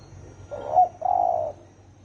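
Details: Single phrase of a spotted dove in 'thổ ồm' style, used to excite 'thổ đồng' doves: a short rising coo joined to a longer, even, mellow coo.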